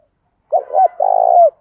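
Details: Single phrase from a spotted dove used as a decoy to provoke calling: two short hollow notes, then a sustained trembling hoot that tails off.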